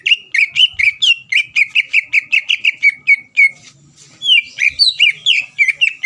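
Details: Greater green leafbird lure song for provoking rival birds: a steady run of about fifteen rapid, evenly spaced whistled notes, a brief break, then higher swooping whistles with rising and falling turns.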